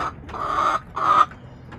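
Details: Backyard chickens, hens clucking: two drawn-out, nasal, mid-pitched clucks about half a second each, separated by a brief pause, with a faint low background hum.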